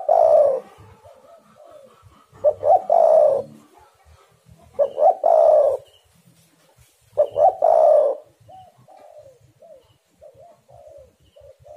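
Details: Spotted dove coo used as a lure to make other spotted doves call: three loud, hoarse, rolling coo phrases about every two and a half seconds, with soft, low, wavering coos between them.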